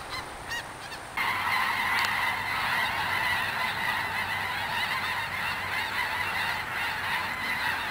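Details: Flock of snow and blue geese passing overhead at Roberts Cove, Louisiana, December 30, 2011, a dense, continuous chorus of overlapping high, barking honks that swells suddenly after a second, with low rumble beneath.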